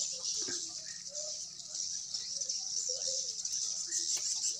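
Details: Swiftlets at Sibolga giving a dense, unbroken high-pitched twittering chorus that fills the whole recording, with faint human voices talking underneath.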